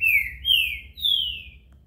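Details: Green-winged saltator singing its desaforo song style: three loud, clear whistled notes, each sliding downward and the last one longer, over a faint low hum.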